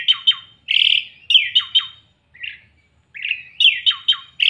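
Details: Asian pied starling song played to coax a lazy, silent bird into answering and singing: loud, harsh, buzzy notes with downward-sweeping tails, given in clusters of two or three and separated by short gaps.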